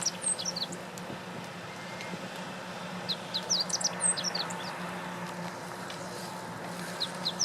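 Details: Meadow bunting at Lake Teganuma in April 2017, giving three brief bursts of rapid, high, twittering notes spaced a few seconds apart against a constant low drone.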